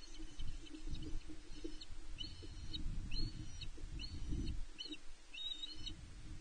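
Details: Female osprey calling loudly on the Loch Arkaig nest, Scotland, 5 July 2021, answered by the male arriving with fish; nest camera recording. Short grouped bursts of piercing whistled notes, about one burst per second, against gusty wind.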